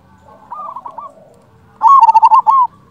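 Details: Local zebra dove, played to lure other doves to reply: a soft cooing phrase first, then a loud fast bubbling run of coos ending in a sustained note.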